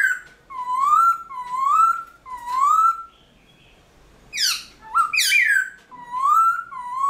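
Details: Early-morning song of a caged black-throated laughingthrush, used to excite other birds into singing. Mellow rising whistles repeat about once a second, a brief pause, harsh sweeping notes, then the whistles return.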